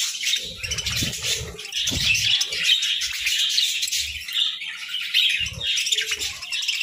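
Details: Budgerigars munch grass and moringa given as a winter boost, chirping in a steady, thick band of high warbled twitters with rapid overlapping notes and faint low crunching at the start and end.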